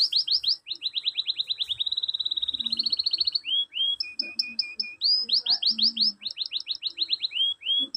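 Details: Canary song used as mesteran to provoke lazy birds into answering: loud, high trills of fast rising and falling notes, a long rapid buzzy run, then clipped whistled phrases and renewed sweeping trills, with faint low background noise.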